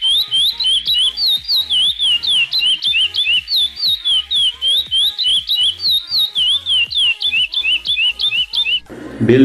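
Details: Chestnut-bellied seed finch (curió) played back as an unaltered recorded song of the praia clássico style, silver-seal recording used to train young birds; clear whistled notes sliding down in quick repeated phrases, ending with a burst of noise.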